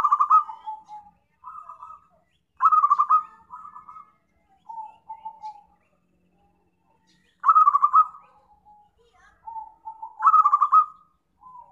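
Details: Zebra dove call used as a lure for trapping: soft rolling coos near mid pitch, with a loud trilled burst roughly every five seconds followed by quieter gurgling notes, on a clean, silent background.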